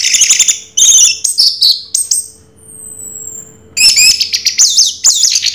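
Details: Orange-headed thrush (anis merah, 'raja teler') delivering loud shrill whistled phrases and chips, pausing for about two seconds, then resuming with a dense run of high twisting notes.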